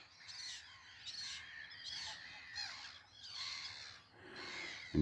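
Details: Juvenile common terns in a Black-headed Gull and Common Tern breeding colony, 8 July: harsh, rasping, drawn-out calls about once a second, overlapping in a noisy colony chorus.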